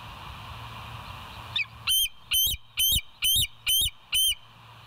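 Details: Bald eagle calling at the West End nest, recorded by a live cam early on 28 August 2023: a run of six shrill, piercing notes, evenly spaced about every half second, over a constant low background hum.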